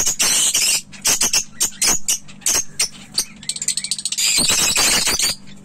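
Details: Budgerigars in Gorakhpur chattering in shrill, scratchy bursts with quick squeaky trills.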